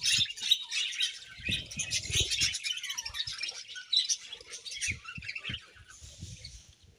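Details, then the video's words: Budgies in a home colony, described as happy, give a busy stream of high twittering chirps that thin out and fade toward the end, with low knocks and bumps underneath. "𝐇𝐚𝐩𝐩𝐲 𝐁𝐮𝐝𝐠𝐢𝐞 𝐒𝐨𝐮𝐧𝐝𝐬 | 𝐁𝐢𝐫𝐝𝐬 𝐒𝐢𝐧𝐠𝐢𝐧𝐠 | 𝐁𝐮𝐝𝐠𝐢𝐞𝐬 𝐂𝐡𝐢𝐫𝐩𝐢𝐧𝐠 𝐒𝐨𝐮𝐧𝐝𝐬"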